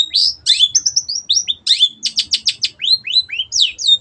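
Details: Long-tailed shrike in full, lively song, used as a tutor recording for caged birds: a rapid run of high whistled notes, buzzy slurs and sharp chirps, some rising and some falling, with one dense burst of quick trilled strokes midway.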